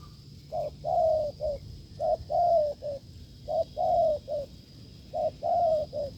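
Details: Wild spotted dove in open fields cooing vigorously near a decoy: four three-part phrases, short hoot, long mellow coo, short closing hoot, repeated roughly every 1.5 seconds.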